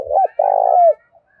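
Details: Part of a spotted dove's fighting call, used as a lure, in the thổ pha style: a short, curling coo, then a long, pulsed, buzzy coo ending in a smooth downward slide.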